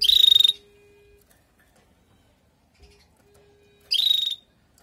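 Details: Female canary calling to excite the male canary after the moult: two brief rattling buzzy calls about four seconds apart, with a faint steady low hum between them.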